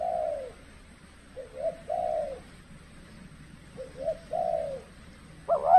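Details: Decoy spotted dove calling during trapping in harsh cold weather, when wild birds are less aggressive; hollow coos in paired notes, a clipped note and a longer sloping one, ending in a louder, sharper coo.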